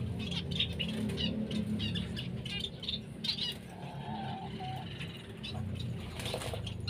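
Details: A black cheek lightback zebra finch pair gives short, nasal chirping calls amid wing flutters and a low background hum.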